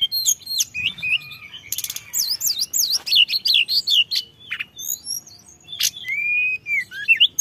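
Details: Tledekan gunung song for luring: wavering, warbled whistles rise and fall rhythmically amid buzzy bursts, sharp high sweeps and short chirps.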